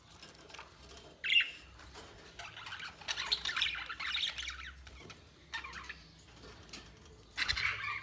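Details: Quieter budgie chatter: a sharp squeak, then a long stretch of dense, scratchy, buzzing warble, a brief lull, and a closing rasping squawk.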